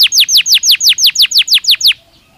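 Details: Belgian canary singing naturally, a tight series of about thirteen identical clear down-slurred notes, roughly six per second, stopping abruptly into quiet.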